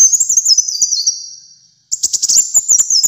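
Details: Very high, thin, stepped warble from a kolibri muncang sunbird in full song. A descending phrase trails off, then after a brief silence a fresh stuttering burst of sharp notes begins.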